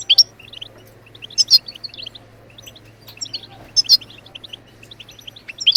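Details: Goldfinch song used to encourage other birds to sing, a bright run of quick tinkling twitters punctuated by loud sharp notes, over a steady low hum.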